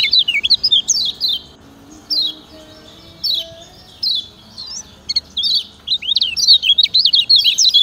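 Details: Lemon-bellied white-eye (kecial kuning) from Lombok, a 'ciak ciak' master recording used to train other birds. Bursts of high, twisting chirps alternate with short, sharp downslurred notes, with quiet gaps between the phrases.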